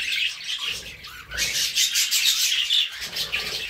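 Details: Pet budgerigars, with cockatiels nearby, produce a lively overlapping warble of gritty, buzzy notes and high squeaks that swells after a short quieter start.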